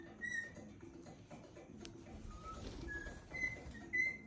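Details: Cockatiel (Nymphicus hollandicus) eating pine at Christmas, giving brief, clear whistled notes over a steady background of rustling and crunching.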